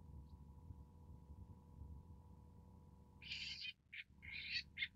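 Long-tailed Shrike giving four harsh, grating rasps in under two seconds, the first and third longest, after a stretch of low rumbling background noise and faint hum.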